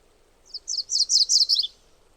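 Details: Single MacGillivray's warbler song phrase, about a second long: a short lead-in note, then a series of loud, rough, high two-part notes falling at the end, with soft background noise.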